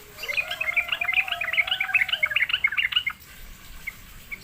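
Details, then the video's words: Sooty-headed bulbul lured into singing: a lively three-second stream of quick, bubbly chirping notes, with a faint low whistle underneath at the start, then quiet with a few soft distant notes. "sekali di pancing trucukan malas bunyi pasti Nyaut gacor"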